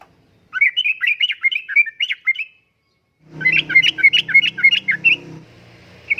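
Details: Lively sooty-headed bulbul song meant to lure and tutor caged birds: two long runs of rapid, liquid, bubbling notes split by a brief silence, with a low droning hum under the second run.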